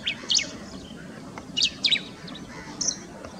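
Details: A male Bristled Grassbird (Chaetornis striata) calling in breeding season at Sodepur, West Bengal, gives short, scratchy, high chirps in four brief bursts about a second apart, over a faint, steady hiss.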